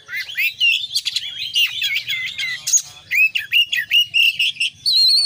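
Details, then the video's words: Oriental magpie-robin pouring out 'konslet' song with full fillers: a rushing chatter of scratchy notes, then a run of repeated short whistled phrases and a final sustained high whistle, faint low hum behind. "kacer gacor KONSLET full isian"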